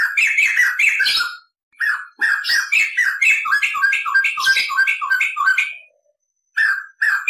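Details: White-crested laughingthrush (poksay jambul) tutor recording with long rolling 'ngerol' song and cackling 'ngekek': loud, rich bursts of varied whistled and chattering notes, closely packed, broken by short pauses.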